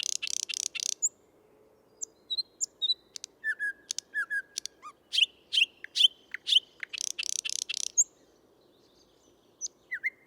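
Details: A male thrush nightingale sings in a park in Tsaritsyno, Moscow, on 12 May 2022, in varied phrases: loud, dry rattling bursts between clear whistled notes, sharp chips and clicks; otherwise quiet background.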